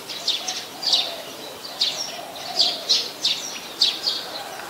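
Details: Brown-throated sunbird recorded 13 January 2021 in Ubon Ratchathani, Thailand, using a Nikon P1000. Thin, high chip notes recur about twice a second, some in quick pairs, above a quiet humming background.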